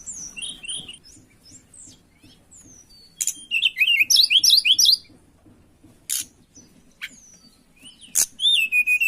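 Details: Tledekan in breeding condition, calling for a rival: soft high chirps, then a loud run of fast zigzag whistled notes, later sharp isolated clicks and a closing burst of rapid trills.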